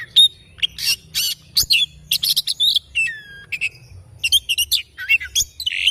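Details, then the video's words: Oriental magpie-robin singing in the morning: loud, bright bursts of chirps and whistles, with descending slurred whistles in the middle and dense, rapid phrases throughout. "Kicauan Kacer Dipagi Hari"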